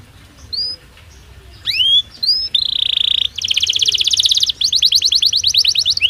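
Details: Belgian canary in natural song, opening with a few scattered upslurred whistles, then a buzzy steady trill and two fast rattling runs of rapid high pulses.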